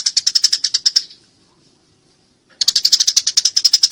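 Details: Eurasian tree sparrow chattering as it fights: a rapid run of sharp, high chirps for about a second, a pause of quiet, then another fast chirping burst.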